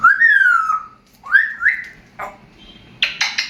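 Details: Indoor pet African grey parrot chattering: two pure whistled phrases, each rising then sliding down, a brief rougher note, then a burst of harsh broadband squawk-like sounds at the end.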